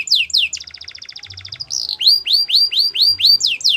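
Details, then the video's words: Pet Belgian canary giving a few loud descending sweeps, a fast pulsing trill, then a chain of bright rising-falling whistles at an even tempo. "Melodies canary bird song | Belgian canary singing"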